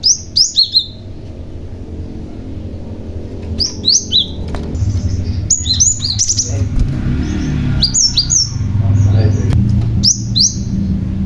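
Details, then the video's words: Cinereous tit, a male stone tit used to lure others into answering, repeating short whistled phrases of two to four downward-sliding notes every second or two while a passing vehicle rumbles loudly. "BURUNG GLATIK PAUD GACOR , Si Pemancing Bunyi Glatik Lain Yang Handal"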